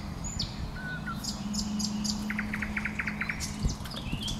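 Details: Common nightingale in bushes, singing a fast series of repeated sharp notes in an even trill, with faint high chirps from other birds and a steady low hum beneath.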